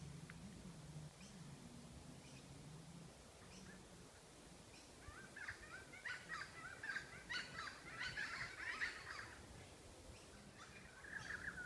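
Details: Kookaburra chicks being fed a lizard by an adult at Noosa, Sunshine Coast, Queensland, Australia, give harsh, rasping squawks in quick ragged bursts, growing louder and more insistent halfway through, over a low steady hum.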